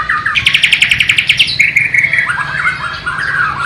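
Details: White-rumped shama of the Borneo type, East Kalimantan, delivering its Sikatan londo or nightingale imitation song. A brief whistle opens, then a rapid even trill of about a dozen sharp notes, followed by drawn-out whistles and slurred descending phrases.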